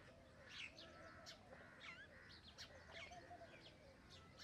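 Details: Common myna chatter: squeaky rising and falling whistles mixed with rasping bursts and low gurgles, delivered in a steady, irregular stream.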